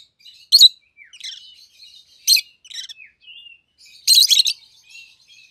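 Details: Two pet rosy-faced lovebirds, a yellow bird and a green bird with red heads: loud, sharp, shrill chirps in bursts, with softer buzzy chatter and squeaky twitters between them.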